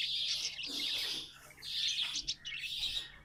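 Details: Pet budgies in a short, continuous, squeaky warble of high chattering notes with a couple of brief pauses.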